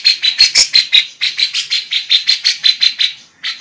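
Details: Energetic female lovebird song with kapas tembak and cucak jenggot filler phrases. Quick, piercing chirps come about three per second, with a short pause near the end before the chirping resumes.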